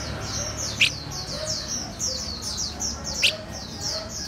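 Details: Red-whiskered bulbul, an 'eagle gene' bird learning to eat cricket bellies, giving rapid high downward-sliding chirps in a continuous run, with two sharp clicks and a low background hum.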